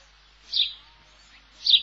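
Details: House sparrow (Passer domesticus) in late spring gives two short, bright, slightly buzzy "chip" chirps about a second apart, with quiet between them.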